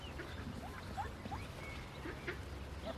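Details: Indian Runner ducklings in the nest just after hatching, lively: thin, quick upslurred peeps scattered every fraction of a second over a steady low hum.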